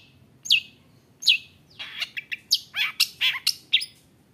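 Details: Long-tailed shrike in full aggressive song, used as a lure to excite other shrikes into singing: two sharp, downward-slurred high notes, then a fast run of about eight varied chirps and buzzy slurs.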